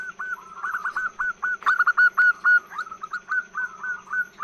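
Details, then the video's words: Female zebra dove calling to lure males. Long run of short, clipped mid-pitched notes, fast and irregular, with overlapping bursts of similar notes in the middle. A steady high faint tone persists throughout. "Perkutut Gacor BETINA Suara PANJANG Untuk PANCINGAN"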